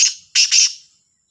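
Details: Black francolin (Kala Sindhi teetar) calling in the morning, labelled Sahiwal, 18 September 2022: short harsh, grating bursts, one brief note then a double burst, ending in silence.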